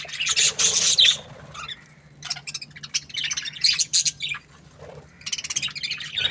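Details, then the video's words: Chirping budgies give loud, rapid, rasping chatter with a few clear whistled notes, in three main bursts separated by quieter scattered chirps. A steady low hum runs underneath. "Budgies parrot chirping sounds"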